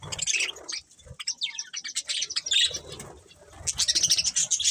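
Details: Colourful budgerigars eating: scattered high chirps and short sweeping whistles among rustling and low crunching or flapping noises, with louder chattering near the end.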